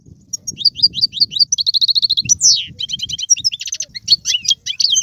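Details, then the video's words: Caged Algerian goldfinch in varied song: scattered chirps, a steady rapid trill, a falling slurred whistle, then quick repeated notes, over soft low background noise. "مقنين طيواواطي قالوبي و سرفاتي, هذا الحسون ليس له مثيل"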